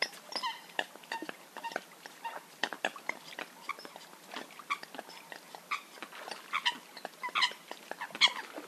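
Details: Eurasian coot calling as a hunting call recording: a dense run of short, clipped, overtone-rich notes and sharp clicks, overlapping and irregular, suggesting several birds calling at once.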